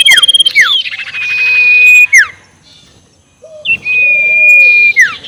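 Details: Sirtu giving its ngekek call, used as a lure to provoke rival birds: rapid chattering notes, then long level whistles that drop sharply at the end, with a quiet pause before another drawn-out whistle.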